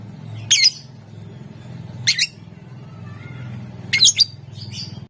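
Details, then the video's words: Lovebird giving shrill doubled squawks to stir other lovebirds to sing, three bursts about two seconds apart, with a low rumbling hum throughout. "Ampuh buat Burung LOVEBIRD ikutan Gacor, Dijamin Puass Sama suaranya"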